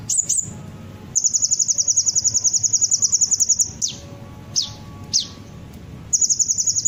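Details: Sunbird lure song meant to prompt birds to sing back: a long, very high, fast buzzy trill runs for several seconds, broken by a few sharp downslurred notes, then resumes.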